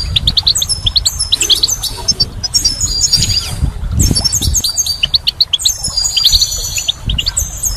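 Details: Goldfinch song in spring, a busy stream of quick, high twitters, rattling trills and liquid notes, rising and falling in intensity with brief gaps, over soft low noise.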